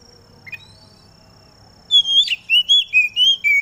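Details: Dew-time song of an Oriental magpie-robin, used to get other magpie-robins singing: a brief chirp, then a fast string of six or seven bright, slurred whistles alternating in pitch, with a faint steady high hum.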